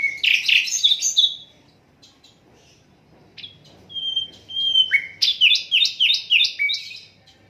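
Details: Unedited Asian brown flycatcher song for teaching songbirds: a burst of dense twittering, a quiet gap, a soft whistle, then a quick repeated run of sharp falling notes.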